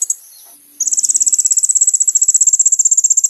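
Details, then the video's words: Kolibri ninja sunbird song used as a lure to draw a response from other sunbirds: after a brief faint note, a long, very high, rapid trill of sharp ticking notes, about four per second, runs steadily to the end. "SUARA BURUNG KOLIBRI NINJA GACOR LANGSUNG RESPON BUAT PANCINGAN KONIN ANDA"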